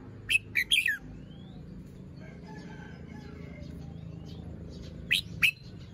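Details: Fluffy, still-moulting red-whiskered bulbul showing its song phrases in the morning: a quick trio of sharp bright notes at the start, a long quiet stretch, then two more loud notes near five seconds.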